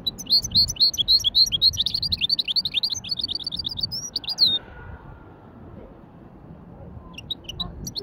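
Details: Hybrid finch in a light widani-style warm-up: loud, fast trilled and twittering notes at a steady pace, ending with a rising whistle, then a pause and a few soft chirps over faint background noise.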